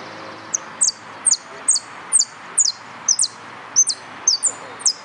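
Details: Yellow canary competing in a singing contest (Concurso Nuevo Irupe, 22 09 13). High, sharp chirps, each a quick downward-sweeping double note, repeat about twice a second over a quiet hiss.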